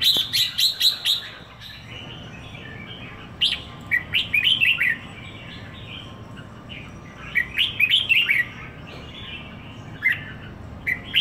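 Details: Caged red-whiskered bulbul in Singapore, one week in the owner's care, repeating bursts of rich, chattering whistled song phrases several times, with quiet gaps between bursts.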